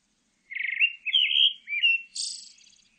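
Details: Pale thrush song: a short fluttery phrase, then two clear whistled phrases, and finally a high, thin, rapidly trilled note. There is no background noise.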